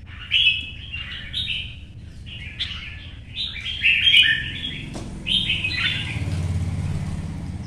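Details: Caged red-whiskered bulbul in Vietnam, a competition singer, hopping between perches in early sunlight: a string of short fluty warbled phrases, some slurred downward, with a faint low hum behind and a knock near the end.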